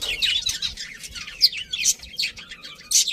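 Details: Several happy budgerigars from a colony chirping: rapid, twittering high notes and short downward squeaks, overlapping chatter with a few louder accented chirps standing out.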